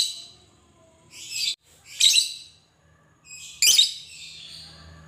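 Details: Fighter lovebird lure song: three separate bursts of harsh, buzzy high chirping with quiet gaps between them, and a faint low hum in the background.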